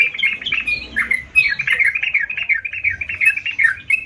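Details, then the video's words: Sooty-headed bulbul singing gacor: a continuous, liquid babble of slurred chirps, each note swooping briefly up or down, delivered about three per second without a break. "Burung Trucukan Gacor"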